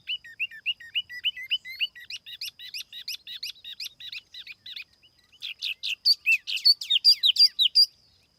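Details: Tiểu mi (laughingthrush) song used as a lure, recorded without background noise: rapid bright chirped notes repeated about twice a second, a brief pause, then louder sweeping whistled phrases near the end.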